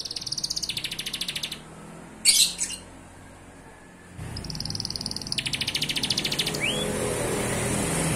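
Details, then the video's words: A canary sings high, rapid trills and a long sustained whistle, then a fast buzzy pulsed roll ending in a quick rising note; one sharp click breaks in. "Kenari gacor full isian tembakan"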